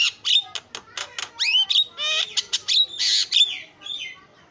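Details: Javan myna in vigorous filler song, used to lure other birds: a dense run of harsh rasping squawks mixed with slurred rising and falling whistles, loud throughout and fading at the end.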